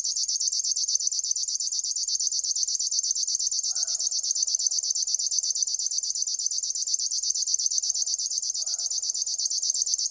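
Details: Mechanical, cricket-like reeling from a river warbler, a steady high buzz pulsed at an even rhythm without pause. Two soft low sounds come through faintly behind it.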